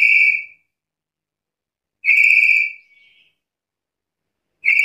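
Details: Black-capped lory giving loud, flat, shrill whistles lasting under a second, one followed by a faint softer trailing note, repeated at irregular intervals of about two to three seconds.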